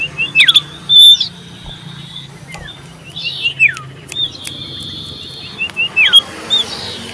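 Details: Common iora, called sirtu or cipoh locally, singing loudly and persistently while seeking a rival, recorded 27 December 2022: clear whistled notes near the upper range, some sliding down, others held flat, in short scattered phrases with pauses, over a faint low hum.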